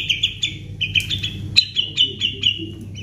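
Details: White-rumped shama in full isian song meant to coax other birds into singing: a string of short, slightly falling whistled notes repeated about twice a second, with low background hum.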